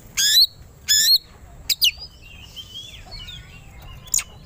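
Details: Oriental magpie-robin (kacer) in a fight-provoking song: two loud buzzy descending notes a second apart, a pair of sharp chips, then soft warbled whistles and a final chip.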